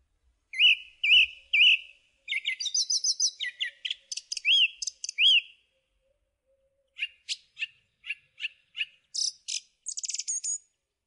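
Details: Song thrush song made of varied whistled and chirping phrases. The first phrase is repeated three times, followed by rapid scratchy notes, upslurred whistles, and a burst of staccato clicks at the end.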